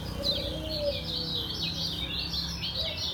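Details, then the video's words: Lombok yellow white-eye in a cage giving a ngejos song, a blurred run of high, wavering chirps over steady low background hum and a soft, lower whistle. "SUARA KECIAL KUNING LOMBOK NGEJOS SELOW"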